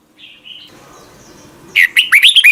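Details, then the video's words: Red-whiskered bulbul singing in the morning for voice training: soft faint whistle early, then one loud burst of rapid, liquid, looping whistled notes at the end. "Luyện giọng cho chào mào hót sáng, ép chào mào hót âm kép già rừng hay tuyệt!"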